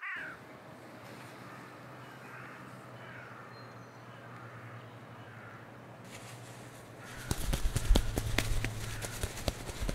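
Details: Carrion crow giving a run of harsh, hoarse caws one after another during the first seconds over a steady low hum; loud clattering and knocking noises take over toward the end.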